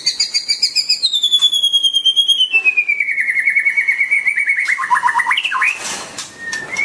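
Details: White-rumped shama singing while dancing: a long, rapid run of bright whistled notes that slides steadily downward from high to middle pitch over about five seconds, ending in a few quick lower chirps and a short whistle.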